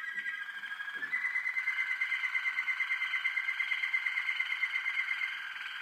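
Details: Young Waterslager canaries (Belgian malinois) from 2012 singing indoors: a rapid, steady trill of liquid, bubbling notes, pulsing about three times per second, after a brief soft start.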